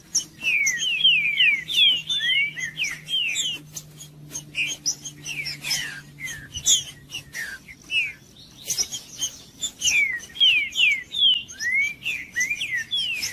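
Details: Green-winged saltator singing, played to warm up and stimulate a silent bird to sing: series of slurred, downward-swept whistled notes, repeated in quick clusters with short gaps, over a faint low hum and sharp background chips.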